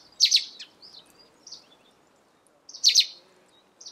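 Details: A russet sparrow sings in the morning at Senjogahara, Oku-Nikko, Japan: bright, chirpy bursts of high notes, each phrase repeated about every two and a half seconds, over a soft hum of background noise.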